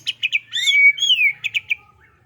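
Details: White-rumped shama singing vigorously (gacor): three quick sharp chirps, then long clear whistled notes that slide up and down, then another trio of short bright chirps. A faint low hum runs underneath.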